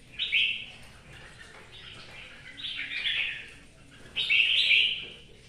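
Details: Red-whiskered bulbul singing in the rain, kept as a cage bird in Vietnam, giving three bright warbled phrases around two to four kilohertz separated by pauses, with soft rain hiss underneath.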